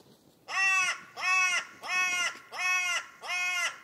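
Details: A carrion crow (Corvus corone) gives five harsh, rasping caws, each about half a second long, repeated at a steady pace with no other sounds.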